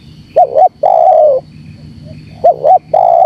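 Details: Lure calling of a spotted dove, known locally as terkukur: a clipped two-note lead-in and a sustained, softly falling coo, then the same opening pair starting again, with faint background hum.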